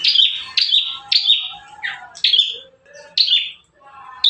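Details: Bar-winged prinia singing vigorously in five song variations, kept as a master recording for training caged prinias; loud, sharp chirps that drop in pitch repeat about every half second, with softer, lower warbled notes between them.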